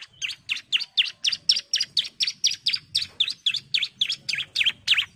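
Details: Female orange-headed thrush calling the male, a rapid continuous run of bright, sharp chirps, about three to four per second, each note dipping then rising, over a faint low hum.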